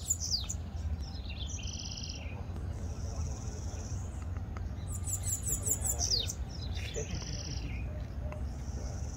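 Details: Bananaquit song from a group gathered at a rural property, birds trading songs: short bursts of very high, thin, rapidly repeated zipping notes, with other chirps and steady low background noise.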